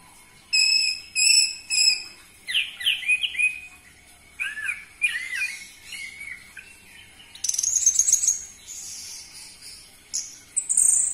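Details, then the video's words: Loud Orange-headed thrush lure song to make captive birds sing: three ringing, repeated notes, then tumbling slurred whistles and, after a brief pause, a long run of very high, rapid twittering. "Pancingan Burung Anis Merah Cepat Teler Suara Kenceng"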